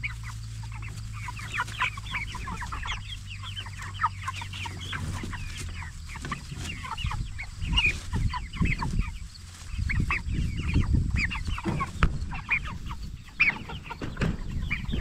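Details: Meat-raised Cornish Cross broiler chickens, jumbo type, 44 days old: a continuous chorus of quick high chirps from many birds, with rumbling low thumps and shuffling noises building midway.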